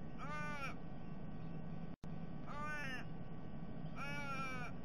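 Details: Three drawn-out, whining raven calls, evenly spaced about two seconds apart, over a constant low hum. The calls came from a family group of three ravens, a fledgling begging a parent, eating the eggs in a sea-eagle's nest, December 2021.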